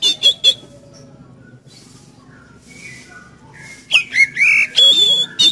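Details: Oriental magpie-robin singing energetically, intended to get a kept magpie-robin singing: three quick whistled notes, a few seconds of near-quiet with faint soft sounds, then a renewed run of loud slurred whistles and a held high note.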